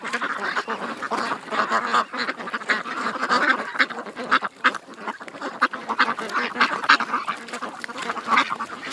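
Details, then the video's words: A flock of ducks at a creek quack constantly in overlapping nasal bursts from several birds at once, a busy chattering flock with no clear pauses. "Ducks At The Creek"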